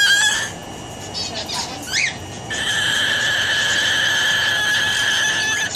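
An umbrella cockatoo gives harsh, grating screeches: a short burst, a couple of quick rising squawks, then one long sustained shriek lasting about three seconds.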